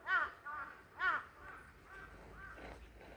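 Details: Crow among many, apparently annoyed at being filmed, giving hoarse caws: two loud calls followed by softer, fading ones over three seconds, with faint low background noise.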